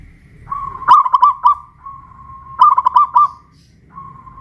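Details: Zebra dove, local Pajajaran bird from Kuningan, West Java, singing from a raised cage: two fast, pulsed cooing phrases, with a steady humming tone running between them and continuing toward the end.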